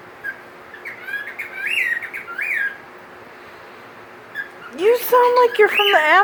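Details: A recently adopted pet cockatiel, apparently mimicking tropical birds heard at the store, gives rising, whistled chirps and a loud, harsh, sweeping squawk.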